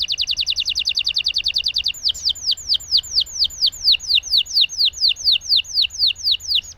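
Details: Canary singing a long rolling song, used to stimulate silent canaries into singing: a fast, even trill of high notes for about two seconds, then a slower train of repeated descending whistled sweeps, roughly three per second, steady to the end.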